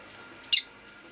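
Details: A pet rosy-faced lovebird on a rainy day gives one sharp, high, scratchy chirp lasting a split second against an otherwise quiet background, with possible town noise.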